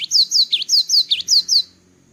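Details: Cinereous tit singing after its moult: seven quick, high two-note whistled phrases, each a sharp falling note tied to a short dip, delivered about four per second, then a faint steady background hum.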